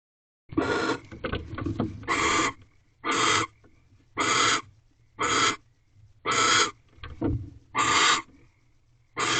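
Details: At an owl box just after midnight on 3/8/23, during the egg-laying period, a male barn owl visits and brings a rabbit to the female. Harsh, hissing screeches of about half a second repeat roughly every second, with softer rasps between.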